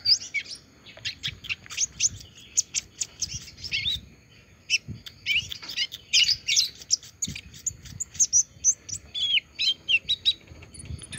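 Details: Olive-backed sunbird, just finished moulting and still singing: a long run of sharp, high chips and thin twittering notes, with short trills and bursts of rapid notes toward the end.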